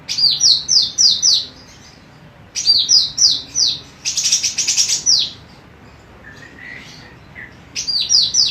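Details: Female cucak rante emas, for training songbirds: repeated groups of five falling whistles, a dense rattling trill in the middle, a soft low note, then another whistled series at the end.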